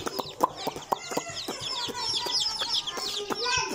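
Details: Baby chickens playing together: many shrill, descending cheeps overlapping in a busy chorus, punctuated by sharp tapping clicks and a faint lower tone.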